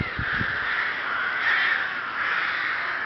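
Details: Rooks (Corvus frugilegus) at Ptačí ostrovy nature monument, Chrudim, Pardubice Region, Czech Republic, 30 May 2011, give harsh, grating caws that run together and swell loudly about three times, with a few low thumps at the start.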